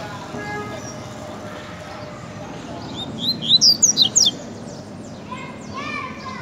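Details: Coleiro (double-collared seedeater) in the tiziu song style: a quick cluster of bright, high sweeping whistles mid-way, later a lower, buzzy harmonic call fading out, all over constant hiss.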